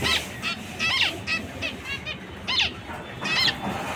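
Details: Zebra finch calling with loud nasal, trumpet-like beeps, each call a short stack of tones bending downward, repeated roughly every half second to second, with steady low background noise.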